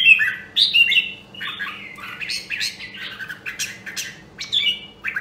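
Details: Red-whiskered bulbul, Nam Đông Huế voice, sung during voice training for fighting song: a flowing string of slurred whistles and chirps, loud at the start and end, softer notes between.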